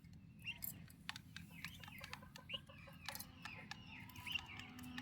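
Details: Turkey chicks kept with their mother give a few high peeps, spaced apart. Soft lower clucking notes and frequent clicking knocks are also heard over a steady low background hum.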